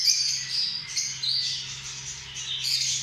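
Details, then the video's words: Shrill, scratchy lovebird squawks packed tightly together, bursts of harsh high chatter swelling and easing in quick succession. "Amazing sound of love birds"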